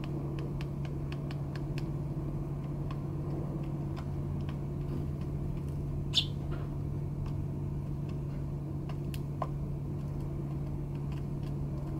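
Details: A steady low hum runs throughout, with scattered faint clicks and taps and no clear animal voice.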